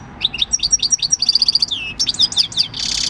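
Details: European goldfinch, six years old and caught wild, giving its field-type song on 26 December 2019: quick, high liquid twitters and short trills, a brief downward slur near the middle, ending in a harsh buzzy burst.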